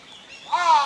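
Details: A single harsh, nasal caw from a Large-billed Crow in Hourai Park, Ota, Tokyo, starting halfway in and slightly arched in pitch, over faint outdoor background noise.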